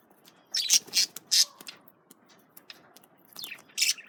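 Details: Male budgerigars eating carrots give short, sharp, high chirps and squawks in a cluster of bursts, then a pause, then a few more chirps near the end.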